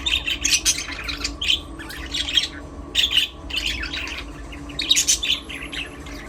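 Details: Several budgerigars in an aviary chatter while playing, dense clusters of buzzy, warbling chirps that rise and fall in quick bursts, with brief pauses between groups and a low room hum.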